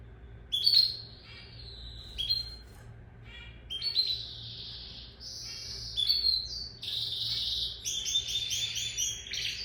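A lizard canary sings a bright, fast run of high twittering phrases, with rapid trills and sustained buzzy rolls between short clear notes.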